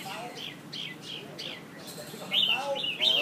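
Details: Red-whiskered bulbuls in Nha Trang, Vietnam, two top birds contesting each other: thin whistled notes, faint at first, then louder, sharper chirped phrases near the end, with a person's voice in the background.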